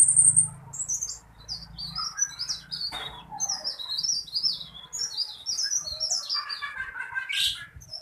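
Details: Tailorbird singing loudly and at length despite its small size, a rapid run of high whistled and slurred notes, many sharp downward and upward sweeps, with lower warbled phrases near the end and faint background rumble.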